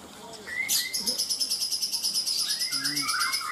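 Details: Lovebird at a bird singing contest in Kaltara, Indonesia, paud class: a fast, buzzy high trill pulsing about three times a second under scattered chirps and twittering notes.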